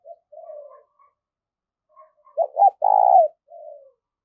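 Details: Decoy spotted dove calling to draw in wild doves: soft opening coos, a pause, then a loud phrase of two clipped notes and a long throaty coo ending in a softer falling coo.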